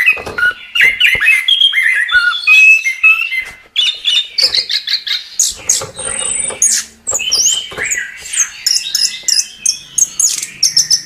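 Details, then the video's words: Chestnut-capped thrush giving a varied gacor song of whistled slurs and chattering notes, a brief pause, then very high thin whistles mixed with scratchy chips. "Suara Burung Anis Kembang | Gacor"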